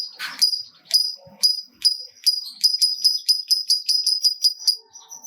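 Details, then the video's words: Lovebird fighter giving a string of sharp, high ticking notes that speed up into a quick run and then stop. Scattered soft clicks and rustling sounds are heard in the background. "Lovebird Gacor Ngekek Panjang !! Pancingan Top Lovebird Apapun Bikin Rajin Bunyi Ngekek Panjang"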